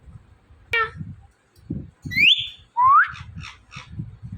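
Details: Indian ringneck parakeet talking and mimicking a cat: a sharp click, a rising whistled sweep, then a loud upward slurred whistle and a few short buzzy syllables, over intermittent low rumbling noise.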